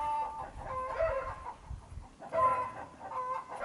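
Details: Chickens on a countryside homestead cluck loudly on a wet winter day with rain and melting snow, calling over a person talking. Nasal, rising-and-falling clucks come in two noisy bouts a couple of seconds apart, over a low rumble.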